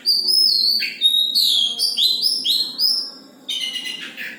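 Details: Oriental magpie-robin in a cage, singing firmly: a long high whistle, then quick stepped phrases that rise and fall, ending in a rough, scratchy burst.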